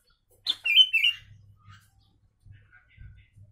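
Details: Sooty-headed bulbul giving song laced with mimicked Javan myna sounds: a sharp note followed by a quick run of loud, clear, slightly wavering whistles lasting under a second, then quiet with faint soft notes and a low background hum.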